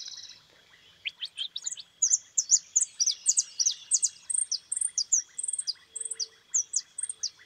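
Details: A white goldfinch sings a fast, high twittering run of bright chirps and short trills, several notes each second, over a faint steady hum.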